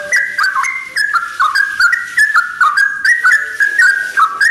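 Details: Sooty-headed bulbul singing at dawn: a steady run of clear, liquid whistled notes stepping up and down in short phrases, with brief gaps between phrases and faint background hiss.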